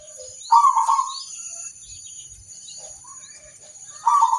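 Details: Local zebra dove singing to draw replies from other zebra doves: two bursts of quivering, trilled cooing separated by a quiet gap with soft distant chirps and a constant high-pitched hum.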